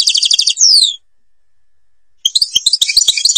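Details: European goldfinch in Algeria's Babas forest: a fast buzzy trill ending in a falling whistle, over a second of silence, then bright jumbled twittering.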